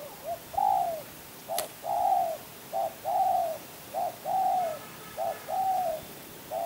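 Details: Loud, close spotted dove (tekukur), a Kebon Kacang champion, repeating short-then-long coos, the longer note hollow and gently falling, in an even rhythm; one sharp click near the start and faint background hiss.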